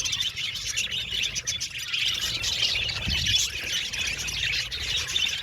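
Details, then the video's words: Chirping budgerigars in an aviary, overlapping squeaky twitters and short warbles forming a constant high chorus above a low background rumble. "Beautiful Budgies Chirping Sound | Happy Budgies Natural Sounds"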